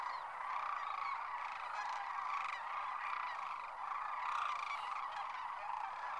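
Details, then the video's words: Sandhill crane flock taking off from the winter roost at Whitewater Draw, Arizona; rolling trumpeted calls stand out above a loud continuous chorus, swelling in waves every second or so. "Sandhill Cranes Liftoff"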